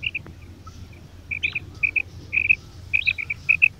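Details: Quail calling, female and male mixed: short pairs of bright high notes in small clusters, with soft background noise.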